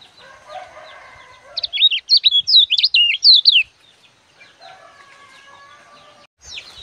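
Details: Lemon-bellied white-eye song played to teach young birds: a low steady hum at first, then a burst of sharp, zigzagging high notes for two seconds, the hum returning, and a brief twitter at the end.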